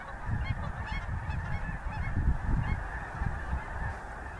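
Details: Geese passing over the Missouri give scattered nasal honks, a few each second, early in the stretch. A heavy low rumble runs underneath throughout.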